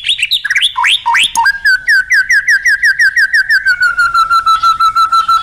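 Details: White-rumped shama contest song with fill-ins: quick rising and falling whistled swoops, then a long run of clear, evenly spaced repeated notes, roughly three each second, holding at one pitch.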